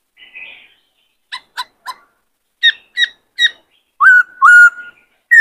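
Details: Male White-cheeked laughingthrush in a cage, excited and displaying beside a new bird, gives spaced harsh clipped notes in twos and threes, then loud flat whistles with a sharp upward start.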